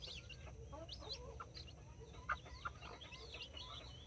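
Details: Nine chicks with two mother hens in a backyard in Colombia, four mini chickens and five Brahma chicks; high chick peeps and whistled chirps scattered throughout over soft hen clucking and a low background hum.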